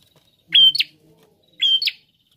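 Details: A prinia singing actively: two phrases about a second apart, each a high flat whistled note sliding into a sharp buzzy upward flick, in a quiet background.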